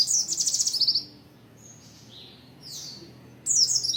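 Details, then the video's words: Oriental white-eye in the dense 'materi rapat' song style: fast, high twittering bursts of rapid chirps, broken by a short pause before the chattering resumes. "Kicauan pleci materi rapat"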